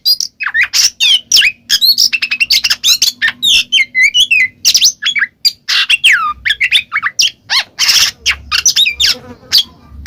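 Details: Ngeplong song of an Oriental magpie-robin, played as bait for a mute bird: dense, varied phrases of clear looping whistles, dropping slurs and rasping chatter, delivered almost without a break.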